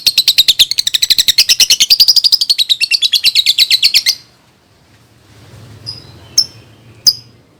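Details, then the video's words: Lovebird song used as a lure for young birds: a rapid, sustained trill of scratchy notes rising and falling over four seconds, followed by a few isolated high squeaks. "SUARA BURUNG Love Bird COCOK BUAT PANCINGAN PAUD"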